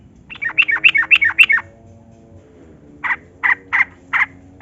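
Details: Yellow-vented bulbul in lively song, played as a lure to get reluctant captive bulbuls singing. A quick, bubbly run of chirping notes is followed by a pause, then four separate short chirpy bursts.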